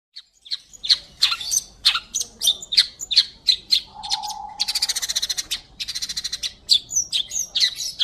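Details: Long-tailed shrike singing gacor, clean song used to tutor magpie-robins: scratchy squawked notes in quick series, broken midway by a fast mechanical rattling trill and a low hum, then resuming with sharper chirps.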